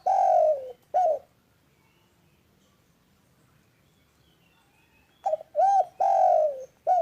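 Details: Spotted dove giving a loud, clear, calm call used as training audio to get reluctant doves calling: a burst of mellow coos with a long, drawn-out falling note, a short pause, then another phrase of rounded coos.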